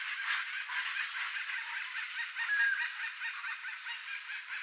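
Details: Flock of Chestnut-bellied Guans (Penelope ochrogaster) in natural habitat in central Brazil gives a dense, continuous chorus of overlapping nasal honks, with one brief thin whistle partway through.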